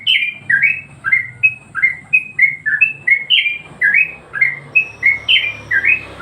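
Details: Yellow-vented bulbul song, used as a training master for other birds: clear, rounded whistled notes, roughly three per second, rising and falling in bouncy phrases over a faint low hum.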